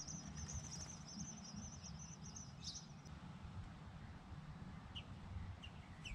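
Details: Blue jay nestlings in a backyard garden birdhouse beg at feeding time, giving thin, high, rapid chittering trills for about three seconds, then scattered short squeaks, over a steady low background rumble.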